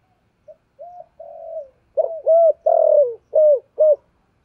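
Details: Decoy spotted dove in the 'giọng thổ' voice, cooing to lure wild doves during daily training; a few soft short notes lead into five loud, throaty coos, the middle one drawn out and falling.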